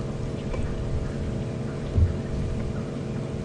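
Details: Only a low engine rumble with steady hum and a brief thump is heard, with no animal calls. No other sounds stand out.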